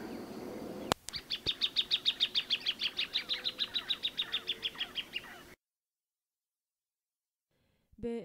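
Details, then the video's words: A plain thornbird delivers a fast, even rattle of sharp repeated notes lasting about four seconds, gradually weakening, after a click and a low hum; a brief other sound follows a silent gap. "Kicauan Burung Plain Thornbird"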